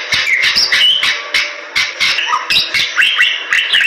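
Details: A Bali myna in strong, full song, meant as song-tutoring material, giving a nonstop, rapid jumble of harsh chatters, scratchy notes and clear short whistles, some sliding upward, with no other sounds.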